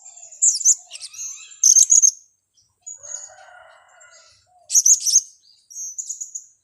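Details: Blue-crowned hanging parrot lure call for trapping: clusters of very high, sharp chirps and short trilled notes in bursts, with a faint lower buzzy sound between them.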